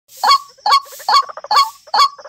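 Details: White-breasted Waterhen decoy call used for night bird trapping: loud, harsh croaking notes about twice a second, with softer clucking sounds in between.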